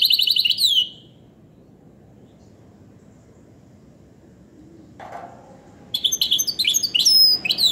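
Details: ['Goldfinch hybrid singing in two spells: a fast, bright trill that fades, a long quiet gap with a brief soft low sound, then sharp, twittering, chipping phrases.']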